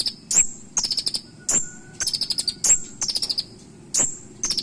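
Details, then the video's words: Kolibri ninja (Van Hasselt's sunbird) song in a sharp 'isian' style stuffed with mimicry: a regular cycle of a sharp tick and high whistle, then a fast burst of several shrill notes, roughly once per second; a faint steady tone in the background. "KONIN ISIAN TAJAM DAN NEMBAK COCOK UNTUK MASTERAN"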